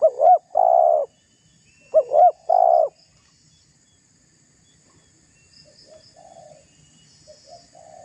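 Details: Spotted dove calling to stir up a rival: two loud phrases of twin looping notes with a long low coo close together, then silence and faint softer coos later.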